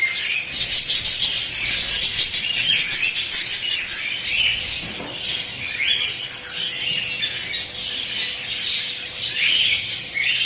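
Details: Budgerigar chicks being fed by their mother at feeding time: a continuous mass of high, raspy, buzzing chirps and squeaks, rapidly repeated and overlapping throughout, with brief louder rising squawks near the middle and end.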